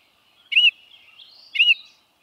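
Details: Baltimore Oriole giving two loud, short whistled notes about a second apart, each sliding slightly downward, with soft higher twittering between them.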